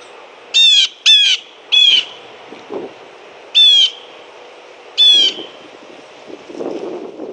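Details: Wild Blue Jay at a feeder tray, recorded 7 November 2018 with a camcorder on a board at the feeder station: five harsh, nasal, downward-slurred calls, three in quick succession, then two more spaced about 1.5 seconds apart, over faint background noise.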